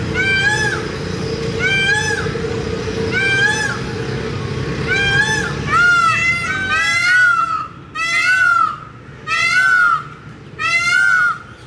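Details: Peacock calling repeatedly, a series of loud, nasal, harmonic wails roughly every one and a half seconds, growing cleaner and more separated toward the end, with low rumbling noise early on.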